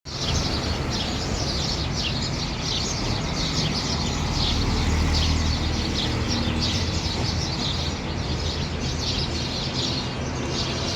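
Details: Birds chirping in the morning: rapid, high, irregular twittering notes from several birds repeated over steady low rumbling background noise.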